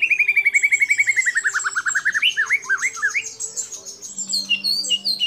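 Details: White-rumped shama competition song with fill-in phrases valued by judges. A fast series of clear whistled notes slides downward, then breaks into quick looping warbles beneath a thin high trill.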